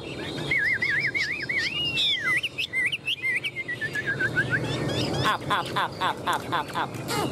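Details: Chinese hwamei, tame and kept in a cage, gripping the bars and flicking wings and tail as it sings rolling, wavy whistles and swooping slurred notes, ending with a string of dry clicks.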